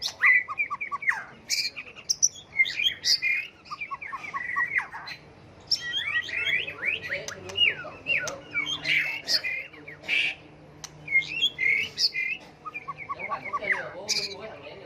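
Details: White-rumped shama delivering a varied, ever-changing song meant to provoke birds into song contests; dense chattering and whistled phrases with harsh squawky notes pour out almost without pause over fifteen seconds.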